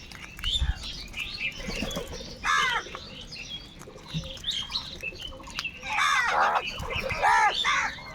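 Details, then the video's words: Large flock of crows fighting for food, calling in overlapping harsh, arched cawing notes in bursts, loudest near the start and in the final two seconds, with wingbeats and a dense chattering background of many birds. "Kaka sound and noises of Crow birds | Huge numbers of crows crowing and crying sounds"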